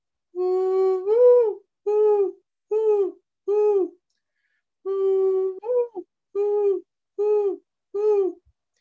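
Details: A Mourning Dove, a year-round resident of North Texas backyards, gives two soft, hollow, mournful coo phrases: a drawn-out first note, a rising inflected coo, then three lower, even coos.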